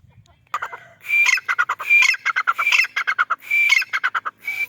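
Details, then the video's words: A white grey francolin (white teetar) gives loud, harsh, rhythmic calls: three bursts of rapid grating notes about a second apart, each opening with a higher squeal. "white teetar ki awaz"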